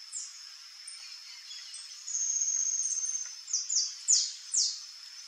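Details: Rufous-tailed jacamar (Galbula ruficauda): quiet opening, a level high whistle, then four loud sharp down-slurred notes in quick succession near the end, over a continuous high background tone.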